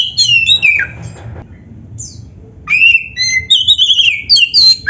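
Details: Varied magpie-robin singing: a run of falling whistles with scratchy notes, a brief lull, then sustained clear whistles and high sweet phrases, over a low steady hum.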